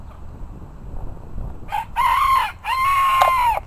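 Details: Bantam cockerel crowing among a group of bantams: after low background noise, a brief rising note leads into a two-part crow, the second part long and sustained, harsh and harmonic-rich.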